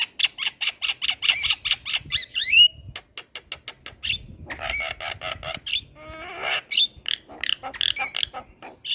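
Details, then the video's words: Head-bobbing Javan myna singing for the training of other mynas, opening with a rapid train of evenly spaced harsh notes, then a rising whistle, buzzy chatter and further clipped squawks. "Masteran Jalak kebo Gacor Manggut Manggut Semua Burung Jalak Langsung Gacor"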